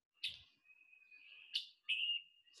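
Scarlet Tanager giving sharp, high chick notes, a few spaced over two seconds, one running into a burry buzz, over a steady thin high tone.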